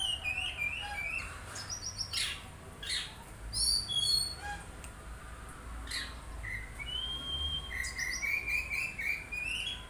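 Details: Oriental magpie-robin song made of clear whistled phrases, sharp upward chips and a long rising trill near the end, given in uneven bursts over low background noise.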